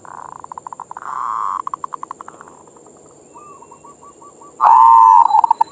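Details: Zebra dove (perkutut) song played to prompt other doves: a rolling trill breaking into pulsed notes, a soft series of hooked coos, then a loud quavering coo at the end, with a high steady hum.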